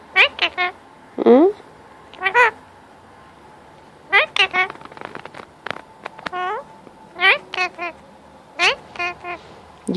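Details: A pet male Indian ringneck parakeet chatters while wanting to be petted at cuddle time: frequent short harmonic notes and wavering phrases in loose groups across ten seconds, indoors.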